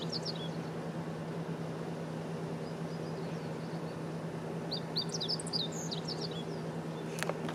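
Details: Meadow bunting song at Kosugenuma, Uozu City, recorded 9 June 2019: a brief high note at the start, then a quick, bright phrase of twittering notes, all set against a constant low hum.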